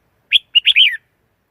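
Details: Red-whiskered bulbul phrase of several quick chirps running into a rolling, slurred warble that ends with a falling note, clear and unaccompanied.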